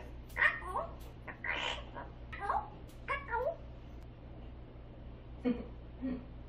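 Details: Pet grey parrot screaming indoors in the afternoon: a run of harsh, rasping screams over about three seconds, then a couple of softer squawks, over a steady low household hum. A quaker parrot in the home says 'no'.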